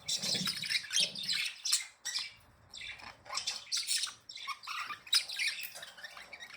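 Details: Budgerigars, happy and playing, chatter in a busy warbled song: scratchy squawks, buzzy trills and high chirps come in short overlapping bursts with brief pauses, and a few soft low thumps sound early on.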